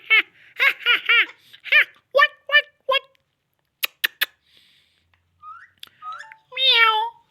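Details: Indian ringneck parakeet talking: a quick run of speech-like syllables, then sharp clicks, a few rising whistled notes and a drawn-out nasal squawk at the end.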